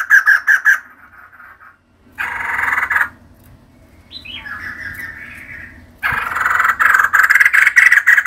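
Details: Female white-crested laughingthrush, a kept bird, singing in bursts: quick harsh notes, a pause, a chattering burst, softer descending notes, then a strong closing run of rapid cackling.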